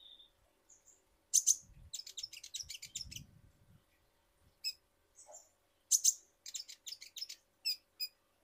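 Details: Kolibri ninja, a sunbird from Indonesia, recorded as a lure to get birds singing. Rapid runs of very high, sharp ticking chirps come in two bursts with short whistled notes between, plus soft low thumps.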